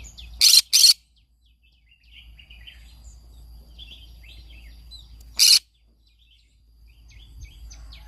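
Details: Morning song of a green-cheeked conure: three loud, harsh, raspy screeches, two close together at the start and one later, with soft squeaky chirps and chatter in between.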